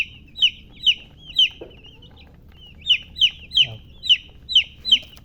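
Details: Chicks give clear, shrill downward-sliding peeps, first three in a row, a brief gap, then a run of about seven, each roughly a third of a second apart.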